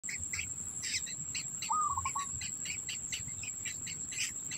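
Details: Black bittern at its nest, holding food in its mouth for its young: one short call, a level note breaking into a few quick stuttering notes, set against dense insect chirps and a steady high insect whine.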